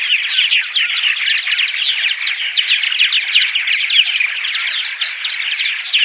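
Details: Daytime chatter of a purple martin colony in the migration season, a steady wash of rapid chirps, creaks and rolling gurgles from many overlapping birds with no gaps.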